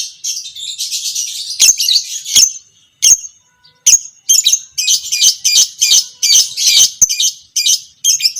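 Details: Lovebird of the pastel creamino type, kept as a fighter, giving long ngekek chattering used as a master to train other lovebirds; sustained high harsh chatter broken by sharp clicks, then rapid rhythmic pulses.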